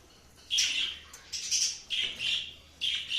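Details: Cockatiel chirping: a series of four or five high, slightly buzzy chirps, each lasting about half a second with short gaps, in a quiet room.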